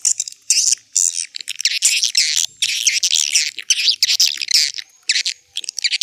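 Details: Swiftlet calling sound, an old-style lure recording played to attract swiftlets: dense bursts of high, buzzy twittering chatter, separated by short gaps, with overlapping chirps from several birds.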